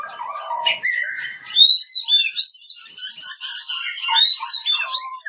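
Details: Oriental magpie-robin from Kebumen, Central Java, Indonesia, singing a loud, varied song of clear whistled notes that rise and fall, mixed with buzzy and chattering phrases in a continuous stream.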